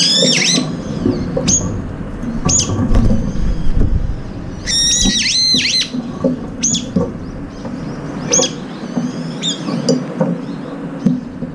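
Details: Up to five Brown-eared bulbuls share a breakfast feeder, pecking each other and fighting over the food, and utter loud, screechy, strongly harmonic calls in rapid bursts, some swooping down in pitch, repeated many times against low rumbling noise.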